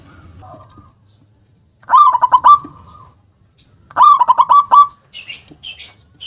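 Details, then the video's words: Local zebra dove with a loud, forceful voice: two bursts of rapid stuttering cooing notes ending in a drawn-out coo, followed by sharp high chirping from another bird. "perkutut lokal gacor suara besar nyentak KUNG power kencang"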